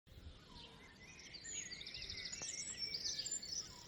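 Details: Several small birds chirp and twitter together in the morning on a farm on the Isle of Man, high, thin and overlapping in quick, uneven bursts, over a low wash of outdoor noise.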